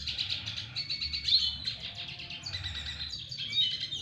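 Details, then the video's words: Courtship song from a double dilute red siskin learning to woo a female, a rapid, bright twittering warble with buzzy notes, held high and steady for the full stretch. "Red siskin Double diluet belajar merayu BETINA red siskin"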